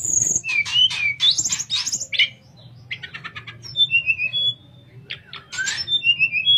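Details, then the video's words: Sooty-headed bulbul singing nyuling-style for tutoring other birds: fast chirps and upward sweeps, a short run of clipped notes, then thin descending whistles with sharp accents. "Burung Tledekan Suara Nyuling Buat Masteran"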